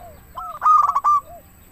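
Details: A single local zebra dove phrase, used as a lure to get doves to sing: a soft low coo, then a quick stuttering run of bright staccato notes, and a faint trailing coo.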